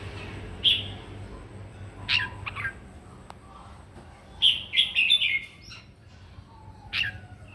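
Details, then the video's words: Red-whiskered bulbul pouring out a morning fighting song meant to goad birds into singing: sharp isolated whistles spaced about a second or two apart and a central flurry of rapid, jumbled warbled notes, with a low background hum. "kích chào mào mũ hót đấu buổi sáng luyện giọng kích chim hót căng lửa"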